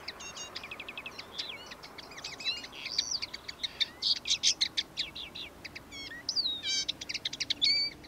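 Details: Common linnet singing in a backyard: a fast, varied, continuous twittering song of dry chirps, buzzy trills and bright whistled notes, high-pitched.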